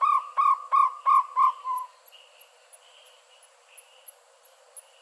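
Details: Jungle owlet giving a quick series of five or six hollow, evenly spaced notes that weaken and fade out after about two seconds, followed by faint high ticking and chirping sounds in the background.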